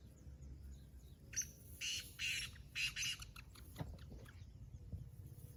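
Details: A kept black francolin gives a harsh rasping phrase of several grating notes, short then longer, over a noisy, hissing background with faint knocks.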